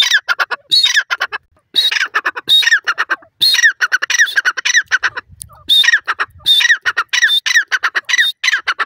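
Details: Loud repeated calling of a grey francolin (dakhni teetar): strident phrases of a high whistled note and rapid harsh stutters, repeated in bursts with a short gap midway and a faint low rumble.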